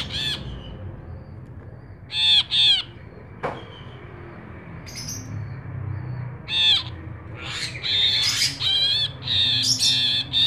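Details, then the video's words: Ashy bulbul in lively song, used as a training and lure recording for cage birds: bright, liquid chattering phrases with clear harmonic notes, a short burst early, a double burst, then a longer run of rapid, varied notes over a low background hum. "Brinji Kelabu Gacor, pancingan brinji kelabu, masteran brinji kelabu"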